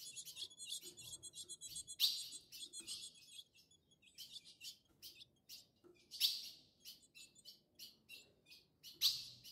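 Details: Wild male ultramarine grosbeak (Cyanoloxia brissonii) free in forest, mating with a female and aggressively approaching a cage to fight, later released: sharp, high, metallic chips in quick irregular bursts, with a louder note roughly every four seconds, over faint low rustling.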